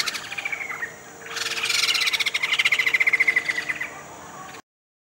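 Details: Sumatran laughingthrush in a rehabilitation cage on Sumatra, one of two pairs saved from the pet trade and soon to be freed: after a quiet start, a loud rattling chatter of fast, even pulses runs about three seconds, then fades.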